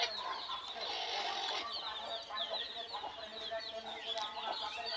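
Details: Desi chickens on a low-cost farm: a dense, continuous chorus of high, down-slurred peeps from many birds, with occasional knocks.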